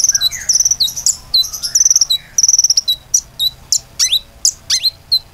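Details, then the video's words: Lure song of a common iora meant to get other birds singing: quick trilled bursts of high whistled notes, with soft lower slides in the first half, then separate sharp rising and falling whistles spaced about half a second apart. "PANCINGAN KONIN GACOR AMPUH‼beneran bisa gacor"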